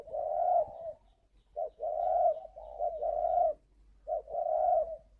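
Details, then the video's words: Captive spotted dove in Ba Vì, Hanoi, Vietnam, performing its calling coo: a short clipped note then a long, soft, rolling hoot, the pattern given three times with brief pauses between phrases. "Gáy gọi Hậu 1"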